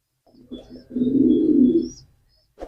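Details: A single pigeon coo: soft broken notes lead into a sustained, deep, vibrating purr that fades out after about a second.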